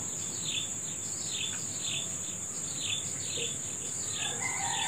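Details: Morning birds chirping in quick falling notes, joined near the end by a lower whistled phrase, all over a persistent high insect drone.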